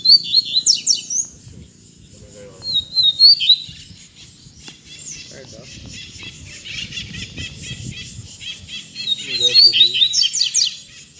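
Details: Two captive double-collared seedeaters singing again after a sudden pause the owner thought was moult: short, high, buzzy-twittering phrases in bursts, loudest at the start and end, with a faint low voice or murmur in between.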